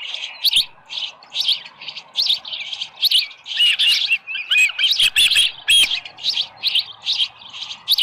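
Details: Osprey at the nest on 24 July 2018, early morning, with a headless fish: a long series of piercing chirped calls repeated roughly twice a second, getting louder and more tightly bunched midway before easing again.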